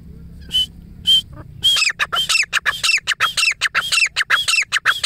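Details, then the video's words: Wild female grey francolin calling: after two brief whistled notes, a fast run of loud, harsh squealing notes with arched, hooked shapes repeats nearly twice a second, with low background hum throughout. "مادی کی آواز/ جنگلی تیتر کی بولی"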